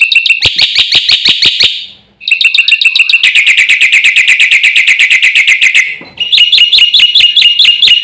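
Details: Javan pied starling singing at full intensity, its outbursts said to rile the birds of a whole village: dense, rapid, harsh chattering notes repeated many times a second in long runs, broken by one brief pause.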